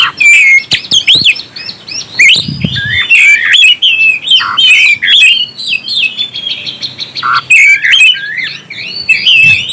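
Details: Singing oriental magpie-robin, song meant to stir up other birds: bright, varied whistled notes and chattering runs pour out almost without pause, with a few harsh rasping calls mixed in.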